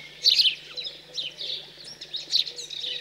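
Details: Young house sparrows out of the nest being fed, cold countryside in central France, 15 June 2020; a loud burst of shrill chirps opens, followed by several quicker, buzzy chirps in quick succession.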